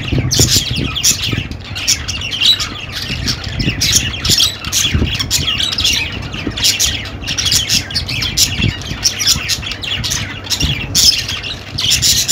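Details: Long run of budgerigar chatter, a constant tangle of sharp chirps, squawks and twittering warbles with no pauses, above a steady low-pitched background rumble.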